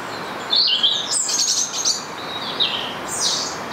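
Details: High-pitched shrieking from a feral rose-ringed parakeet in Stanley Park, Blackpool: bursts of harsh, buzzy screeches with sharp upward and downward bends, repeated in quick succession.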